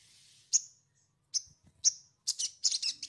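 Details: Sogon lure sounds for unsettled new birds: spaced, sharp, high downslurred chirps, then a quick cluster of buzzy notes, with a faint low hum throughout.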